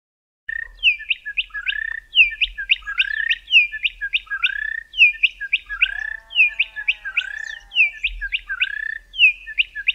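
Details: A pair of Bokmakieries in the southern Karoo duet in rapid, ringing whistled notes, trading quick phrases in a steady rhythm, with a lower, drawn-out whistled series partway through.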